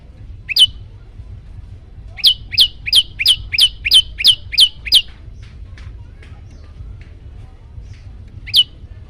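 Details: Yellow-bellied prinia singing in a master recording aimed at agitating other birds: a single sharp chirp, then a burst of about nine fast high notes, a long quiet gap, and one last chirp.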